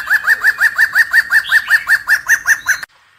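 A Black-throated laughingthrush gives a fast run of about thirteen arched, mellow whistled notes, roughly four per second, that ends abruptly.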